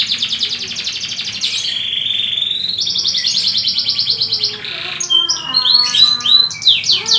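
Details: Canary tutor song for other canaries: a buzzy trill, a long sliding whistle, another dense roll, then varied clear whistled phrases with harmonics.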